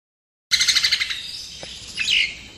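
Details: Common myna, known locally as jalak nias, in full varied song: a quick run of about eight rattling buzzy notes, then a fading hiss and a brief rising squeaky note near the end.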